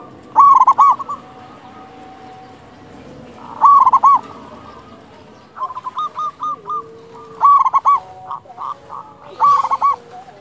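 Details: A loud local zebra dove singing actively, meant to stir other doves to sing: five strong bubbling coo phrases about every two seconds, with quieter coo series from other doves between them.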